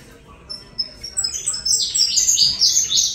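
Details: Saffron finch in the Colombian song style begins with thin, high whistled notes, then breaks into louder, buzzy descending chirps toward the end.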